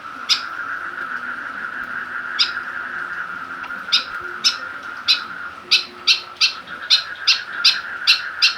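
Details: White-breasted woodswallow kept in a cage and stirred up by a plastic bottle; scattered rasping notes at first, then a quick run of harsh repeated calls about three per second, against a constant whining hum.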